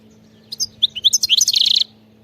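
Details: A wild goldfinch sings briefly in the European field style, with several rising twittered notes that speed into a dense buzzy trill, over a faint steady hum.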